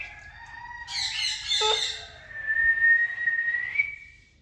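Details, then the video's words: Indian ringneck parakeet making talking and whistling sounds: a sustained tonal note, then a harsh buzzy burst, then a long clear whistle held steady before rising slightly at the end. "Parrots talking and natural sounds || funny birds || Indian ringneck parrot || talking parrot"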